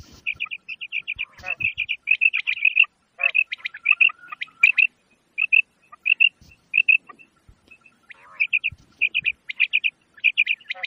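Quail giving rapid bursts of sharp, high chirping notes, grouped in quick runs with short pauses between, repeated steadily throughout.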